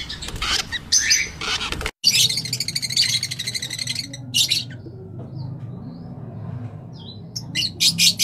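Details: Rosella colour mutations calling: rapid, buzzy, high chirps in dense bursts over a steady low rumble of background noise, with scattered shorter squeaks toward the end.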